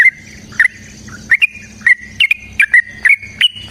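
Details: Yellow-vented bulbul giving a long fighting song, used to provoke other bulbuls into singing: clear whistled notes near one pitch, each opened by a sharp click, spaced irregularly with short gaps.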